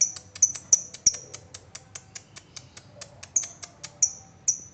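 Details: Ngetik-style lovebird ticking used to provoke trilling in other lovebirds: a rapid, steady run of thin high clicks, several noticeably louder and ringing, continuing throughout.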